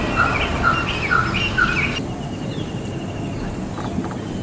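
Indian roller giving four short, harsh, slightly rising notes about half a second apart, then falling quiet over a low outdoor rumble.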